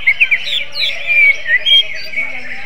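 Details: Greater green leafbird singing like a magpie robin (kacer): rapid chirps open into varied whistled slurs and short bursts, above a dense, steady bird chorus.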